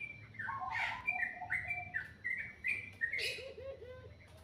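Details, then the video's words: Morning birdsong: a series of clear whistled notes jumping between low and high pitches, some sliding down, with a soft low trill near the end and faint low background hum. "Suara burung dipagi hari sangat merdu"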